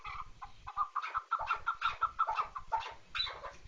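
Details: Chukar partridge calling: a hurried series of clucking, chattering notes, around three per second, some rising slightly and ending in a higher harsher note, with quiet low rumbling beneath.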